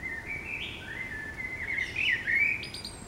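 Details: City blackbird song at waking time, a continuous mellow fluted warble wandering up and down, ending with brief high thin squeaks, steady urban background rumble.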